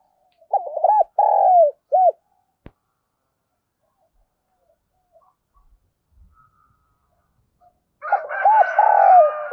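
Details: Spotted dove, a caged decoy bird, calling in the morning to lure wild doves: low cooing phrases of three to four arched notes, a quiet pause of several seconds, then another phrase with faint higher chatter.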